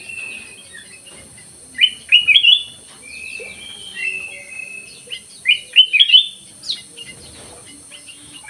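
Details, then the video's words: Black-crested bulbul kept in an aviary, singing actively: bursts of short whistled, warbling phrases around two seconds and again near six seconds, with quiet pauses between and a faint steady hiss behind. "KUTILANG EMAS GACOR"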